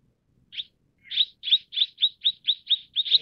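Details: Mrs. Gould's sunbird: a single high chirp, a pause, then eight more sharp, evenly spaced chirps about four per second, ending with a faint low sound.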